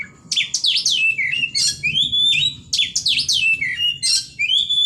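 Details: White-rumped shama singing loud, fast phrases of high sweeping whistles and slurred notes, each phrase ending in a clear downslurred whistle, repeated roughly every second.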